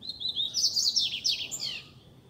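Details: Wild double-collared seedeater, loose in a residential neighbourhood, delivering a bright, fast, high-pitched warbled phrase of about two seconds with quick trills and sliding notes over low background hum.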